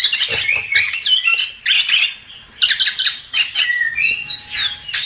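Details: Chestnut-capped thrush, recorded as a tutor track for songbirds, pours out quick squeaky and whistled phrases in short bursts, ending with clear rising-and-falling high whistles.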